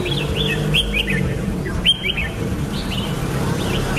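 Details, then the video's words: Red-whiskered bulbul singing short, clear whistled phrases of two or three notes, each slurred up and down, separated by brief pauses, with a steady low hum behind. "Birds Red-whiskered bulbul (Pycnonotus jocosus) Chants Extreme Peak"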